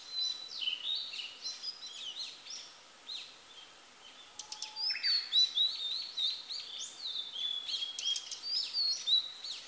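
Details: Singing female Blue-and-white Flycatcher: a run of high, clear whistled and slurred notes, a short pause with clicks near the middle, then a brighter, faster warbling stretch that continues to the end.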